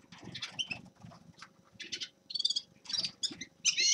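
A grey-crowned goldfinch sings in quick bursts of high, tinkling twitters and buzzy trills, with soft low rumbling underneath.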